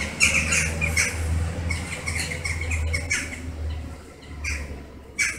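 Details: Hundreds of western jackdaws massing at their evening roost in August, circling and settling into dense foliage; a noisy chorus of short, harsh, clipped calls overlaps continuously over a low background hum.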